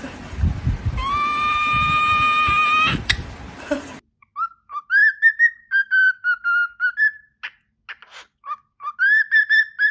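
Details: Pet parrot at home, vocalizing amid laughter and background music: a long steady harmonic tone that rises, then a run of short ringing tonal syllables, roughly two a second, with overtones and some gaps.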